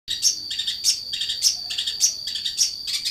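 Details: Long-tailed shrike singing actively: sharp, high chattering bursts repeated about every half second over a steady high-pitched whine in the background.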